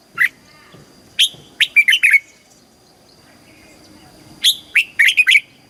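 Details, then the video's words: Red-whiskered bulbul in a cage in Thailand, southern master-style singing meant to rouse other birds and train youngsters; a lone note, then a rapid run of four or five bright whistles, a pause, and another quick whistled burst. "เสียงนกกรงหัวจุก สำหรับต่อ หรือ เปิดให้นกคึก"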